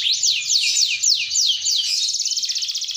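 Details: Panda-marked canary singing a long rolling song: a run of repeated high descending whistled sweeps, about three per second, then a fast even buzzy trill held near the top of its range. Faint low background rumble.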